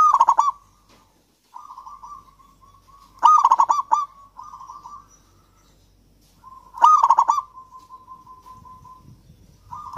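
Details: Local Javan zebra dove in lively song, played as a lure to get reluctant doves singing: three loud, rapid pulsed cooing bursts about three seconds apart, each followed by softer, level trilled coos.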